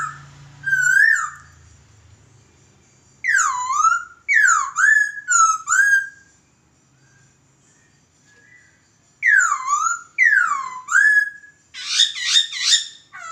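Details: Laughingthrush song used as a master recording to train birds: a lively run of about nine loud whistled phrases, many swooping down then up, ending in buzzier, layered notes. Quiet pauses separate the bursts.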